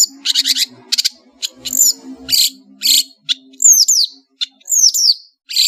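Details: Energetic song of a long-tailed shrike from Madura, mixing harsh buzzy bursts with clear, high, downward-sweeping whistled phrases. A steady low hum runs in the background.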